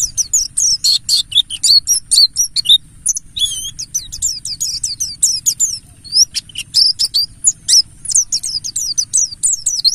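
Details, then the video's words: Mountain white-eye, Buxtoni type, singing a 'ngalas' lure: a dense, unbroken stream of very high, quick twitters, squeaks and short slurred whistles, busy and chattering throughout. "Pancingan burung Pleci Buxtoni Ngalas"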